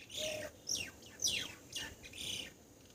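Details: Grey wagtail, a winter visitor to Assam, recorded behind a house near water. Sharp, high chirps sweep steeply downward in quick succession, roughly two each second, with a brief low hooting note at the start.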